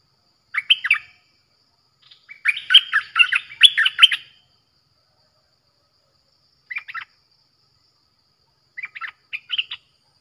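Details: Streak-eared bulbul song played as a lure for wild birds: a short burst of bright chattering notes, a longer run of rapid bubbly phrases, then scattered brief chirps after pauses.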